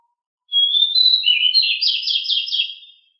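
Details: Household pied bushchat (decu) song on a master track: a single continuous phrase starting with a clear whistle, running into buzzy rising and falling notes and a series of rapid scratchy trills.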